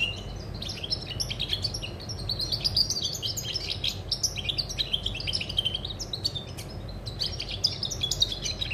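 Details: European goldfinch singing on 20 August 2020, a bright, nonstop cascade of quick liquid twitters and chirps with occasional buzzy trills, clear above a faint low hum.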